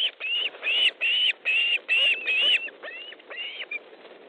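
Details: Loud, evenly spaced whistled cheeps from an osprey at its Estonian nest during a fish delivery on the evening of 13 July 2014, six strong notes followed by softer, trailing calls.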